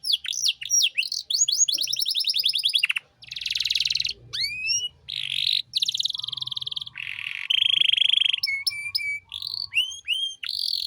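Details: Canary song recorded as a master for young songbirds: rapid rolling trill, buzzy rattles, rising whistles, flat tonal notes and a low faint hum beneath.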